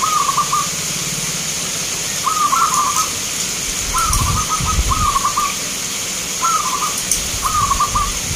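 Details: Contest-singing local zebra doves in Grabag, Magelang, Indonesia, giving short trilled cooing phrases at irregular intervals, each a rapid string of beaded notes; low rumbling handling or crowd noise in places.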